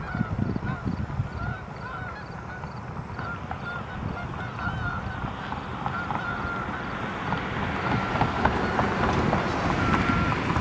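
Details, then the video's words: Flock of Canada geese flying in and landing, recorded 23 September 2014. Honks come thick and fast, overlapping, above heavy low-pitched background noise that grows louder toward the end. "Canada Geese Flying and Landing"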